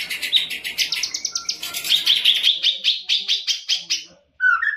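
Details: A caged champion greater green leafbird gives a fast, buzzy, pulsing trill of evenly spaced high notes lasting about four seconds, followed by a short, lower whistled note.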